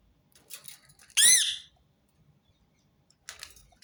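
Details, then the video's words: A single loud, grating screech from a Rose-ringed parakeet stands out between fainter, softer calls and low background rustle. "أقوى صوت ببغاء درة متكرر"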